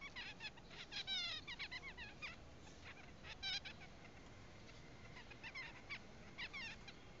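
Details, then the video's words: Double-barred finch (owl finch) singing a soft series of nasal, buzzy notes and quick trills in short bursts, with a faint steady hum behind; recorded 17 June 2015. "貓頭鷹雀唱歌 Owl Finch"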